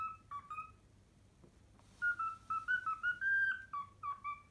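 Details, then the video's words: Pet cockatiel whistling part of a learned melody, the Pythagora Switch theme. A few brief whistles come first, then a pause, then a lively sequence of pure, slightly bending whistled notes over a quiet room. "♯81 ミロのピタゴラスイッチ耐久60分｜Milo's Pythagorean Switch Endurance 60 min."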